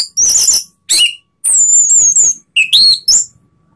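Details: Orange-headed thrush singing to provoke rivals: loud bursts of high, varied whistles and rapid chattered phrases, some notes sliding down and others rising, with short pauses between phrases.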